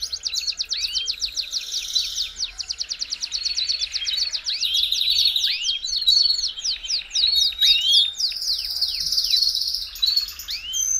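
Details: Belgian canary song used to warm up a canary: continuous fast high-pitched warbling with rapid repeated trills, sweeping whistled notes and buzzy phrases, dense and unbroken throughout, with faint low background hum.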